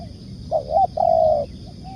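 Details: Spotted dove, used as a lure bird for trapping, giving a soft low coo: a short two-part note followed by a longer sustained coo, with a faint steady hum in the background.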